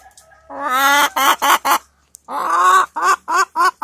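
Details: Hen calling while seeking a comfortable spot to lay her egg: a drawn-out, rising nasal note followed by three short clucks. After a pause, the pattern repeats with another long note and four clipped clucks. The recording is fairly clean.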